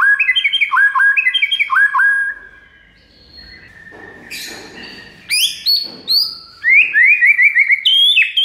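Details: White-rumped shama master song, used to train other shamas and set them responding: quick bursts of down-slurred paired notes repeated several times, a near-silent pause, then loud sharp whistles and a fast rattling series of bright notes.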